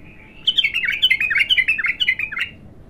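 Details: Bulbul (abtar), raw and untrained, singing early in its training: a bright, tumbling phrase of liquid warbled notes, swooping up and down, lasting around two seconds before stopping, in a quiet setting.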